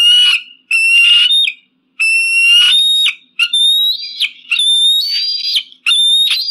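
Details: Eagle scream sequence: a run of piercing whistled notes, the first ones steady and shrill, the later ones drawn out and rising a little higher, coming in quick succession with only short gaps; clean background.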